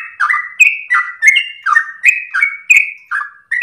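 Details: Sooty-headed bulbul in long-breathed 'ropel' song, recorded as a master for teaching and luring other birds; slurred whistled notes alternating high and low, dense and lively, with no other noise.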